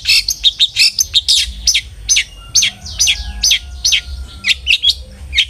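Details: Long-tailed shrike song from a lure recording for making kept birds sing diligently: busy, irregular strings of buzzy chirps and sharp squeaks, roughly one note per second in clusters, with a faint steady tone behind.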